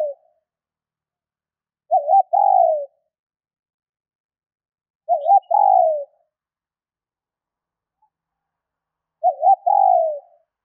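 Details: ['Spotted dove hen calling to excite males, three low two-part coos roughly every three and a half seconds, each a quick warbled note then a drawn-out descending one, nothing else audible.']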